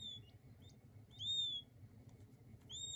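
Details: King quail chicks: a few high, thin whistled peeps, one longer and clearer in the middle, over a low background hum.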